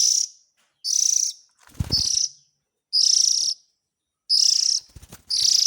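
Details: Begging-type calls of an Oriental magpie-robin chick, used as a lure for the parents. Loud, buzzy, hissing bursts come roughly once a second, with a few low thumps mixed in.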